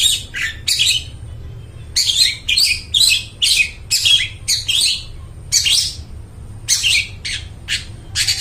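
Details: Long-tailed shrike song used to lure and train mute shrikes: a loud run of harsh, scratchy chattering bursts, each short and broadband, repeated in quick irregular succession with brief gaps, over a low steady hum.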